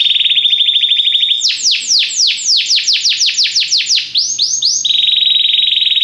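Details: Belgian canary song used for canary training: a rapid even trill, then about sixteen loud, fast downward-swept notes, before the bird returns to the same quick steady trill.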